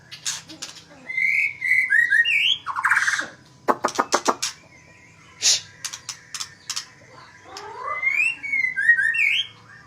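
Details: A magpie-robin song made of sweet slurred whistles and sharp upward notes, a fast stutter of clicks in the middle, then more fluid whistled phrases that rise and fall.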